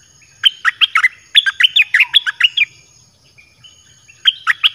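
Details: Red-whiskered bulbul in a cage singing to attract wild birds: a long run of a dozen or more ringing, down-slurred whistled notes, a brief pause, then another quick phrase of four notes.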